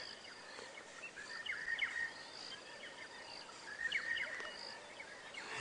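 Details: Monotonous Larks in the African bush near sunrise, about 7 AM on 22 March 2017, give short, mid-pitched, slurred phrases, repeated twice a few seconds apart, among other morning birds including Cape turtle doves and a rattling cisticola.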